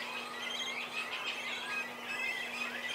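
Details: Cormorant chicks being fed by their parents at the nest; shrill squeaky calls overlap thickly, with thin whistled notes sliding up and down, over a steady low hum.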